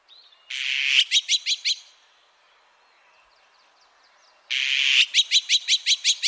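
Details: Azure-winged magpie, recorded in 2020, gives a harsh rasping screech followed by four to six quick ringing notes, twice about four seconds apart; faint ticking between calls.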